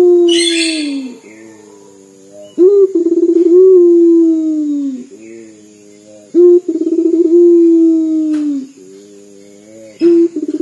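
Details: Local puter dove, its call compared to crying: repeated phrases of clipped onset, rapid throbbing roll and long sinking coo, about every four seconds. A brief rustling noise sounds at the start, with a faint constant high whine.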